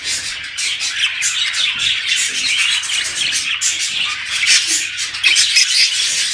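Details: Many budgerigars chattering together in a sound said to prompt breeding, a steady stream of scratchy warbles, clicks and shrill chirps packed tightly, the mass of voices growing slightly louder toward the end.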